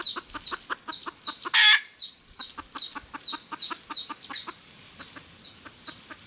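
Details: Red junglefowl hen cackling, recorded for luring to traps: loud, fast, pulsing clucks with one harsh squawk near the middle, alongside repeated high downslurred whistles.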